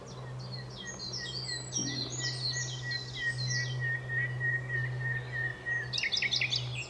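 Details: At Alners Gorse in Dorset a common nightingale sings a long, evenly held whistle run, preceded by high chirps and ending in a fast dry rattle, over constant low hum.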